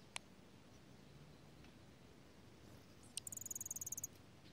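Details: A Dark-eyed Junco at a nest of newly hatched young in a strawberry patch in Washington State, in pouring rain, gives a single sharp tick, then a quick, high, ticking trill of about a dozen notes lasting under a second, over a low steady hum.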